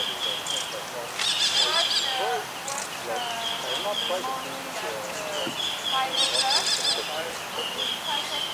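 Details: Young Buffy fish owl practising its hunting, uttering rasping, wheezy bursts near the start and again after six seconds, amid scattered chirps of other birds and a continuous high-pitched whine.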